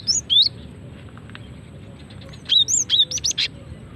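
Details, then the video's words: Cinereous tit female calling, used to lure and prompt birds to sing: a pair of sweeping chirps at the start, a pause, then a rapid string of five bright rising-falling notes. "Suara asli gelatik betina untuk pikat dan pancingan"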